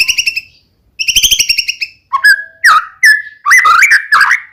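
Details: White-rumped shama, a singing murai batu used as a lure to provoke another shama into answering, delivering rapid trains of bright chirps, then lower whistled phrases rising and falling around the middle register.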